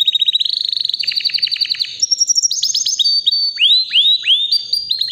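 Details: About three years old, a white canary in full powerful song, opening with a quick buzzy trill that rises, then clear whistled notes and a series of loud swooping upslurred calls.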